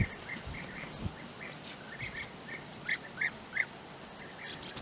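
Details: European bee-eaters calling near their nesting burrows in flat open country at Puszta Eldorado; short rolling, burry notes repeated in an irregular series, some louder and closer, over steady outdoor background noise.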